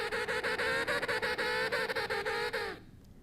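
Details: A typical male Emperor penguin courtship call, a three-sequence call, is given for comparison with an unusual call. It is a rich, brassy trumpet that flutters rapidly for under three seconds, then drops slightly in pitch and stops.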